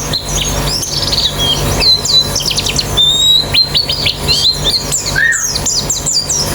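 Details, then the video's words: White-eyes in a therapy recording meant to make a bird sing fast with an open beak: overlapping high, thin whistled chirps and quick up-and-down slurs, with one lower falling note near the end over a steady low hum. "Terapi Pleci Cepat Ngalas Buka Paruh"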